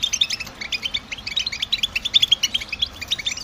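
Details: European goldfinch song meant to energise a kept bird, sung by males in spring and summer to draw females: rapid, tinkling high chirps and short trilled phrases repeated densely throughout.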